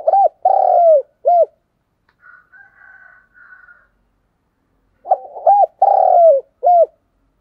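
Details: Spotted dove cooing as a decoy to stimulate other birds, 2022 recording: two phrases of low hollow coos, each with short notes around a drawn-out falling coo, separated by a gap with a faint high tone.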